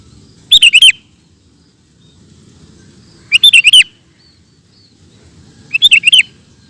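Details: Sooty-headed bulbul singing in rapid-fire ropel style: three short bursts of quick, sharp notes, each about half a second long, spaced nearly three seconds apart, over a low steady background hum.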